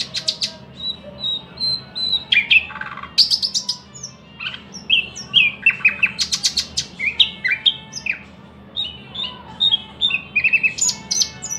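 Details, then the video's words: Varied thrush nightingale song: drawn-out whistles give way to bursts of loud clicking notes and rapid chirps, then continuous repeated phrases over a faint constant low hum. "luscinia luscinia"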